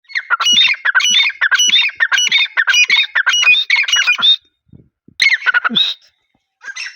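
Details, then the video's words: Francolin calling in a rapid run of harsh, squawking phrases repeated in quick succession for about four seconds, then a short pause before a few more grating bursts resume. "Teetar best sounds | Francolin call"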